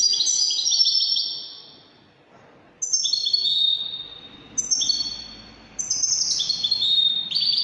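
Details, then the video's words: European goldfinch, Algeria, Widani-style singing: a long, jangling phrase of descending trills, a pause, then several shorter bright phrases following closely one after another. "تغريد طائر الحسون الويداني chant de chardonnere"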